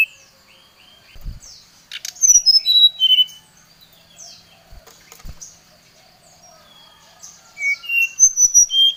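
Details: Brown-chested jungle flycatcher challenging a rival: scattered faint chips and clicks, then a burst of clear descending whistles, a quieter gap, and a second rapid run of whistled notes at the end.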